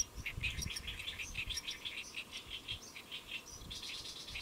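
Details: Great reed warbler perched on a lotus leaf in Saemangeum, Gimje, South Korea, recorded 1 July 2024 near noon, delivering a steady chattering run of raspy, rhythmic repeated notes with faint low background rumble.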